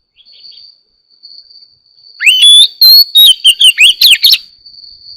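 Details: Oriental magpie-robin in morning song: after quiet faint notes, a loud rising whistle starts a rapid sequence of musical whistles and chips, with a steady thin high tone throughout.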